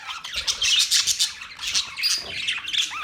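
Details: Budgies on October 11, 2023, keep up a busy stream of warbled chirps and short squawks, with quick rising and falling notes that blend into continuous high chatter.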